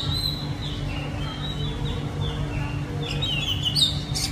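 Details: An Oriental magpie-robin in the capital city gives thin, high whistled notes that slide downward and end in a brighter, fluty twist, over a steady low rumble of city traffic.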